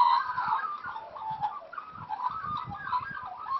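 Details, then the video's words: Australian magpies at play, wild birds raised by their own parents; soft gurgling, warbled phrases run together without pause, with low thumps and bumps in the background. "Australian Magpies Playing"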